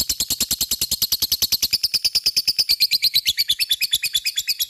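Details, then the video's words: Lovebird giving a long ngekek trill: a steady rapid series of rasping, buzzy chattering notes, about eight per second, held for nearly five seconds with the pitch sliding slightly lower toward the end. "pancing LOVEBIRD supaya cepat ngekek fighter dan gacor"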